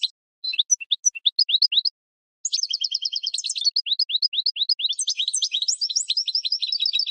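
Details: Goldfinch singing in spring, recorded to train cage birds: scattered upslurred chirps, a short pause, then a long, dense, tinkling warble of rapid high notes and buzzy trills that continues to the end.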